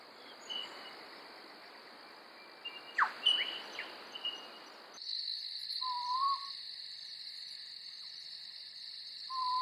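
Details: Southern Boobook, Australia's smallest and most common owl, near Sydney, gives soft mid-pitched hooting notes a few seconds apart over a steady high insect drone, after an opening of hiss and faint chirps.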